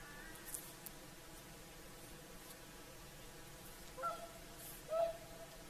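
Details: Whooper swans calling in the evening on Lake Saimaa's shore, Finland, at sunset: after a quiet stretch come two honking notes about a second apart, the second louder, with faint ticks early on.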